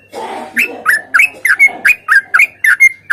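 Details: Sooty-headed bulbul in a chatty fighting song: after a brief low rustling noise, a quick string of clear slurred whistles, some rising and some dropping, comes about three per second.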